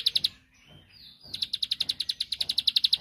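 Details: A provoking song of the bar-winged prinia (ciblek): a few sharp high notes, a brief quiet gap, then a fast regular string of clicking notes building to the end.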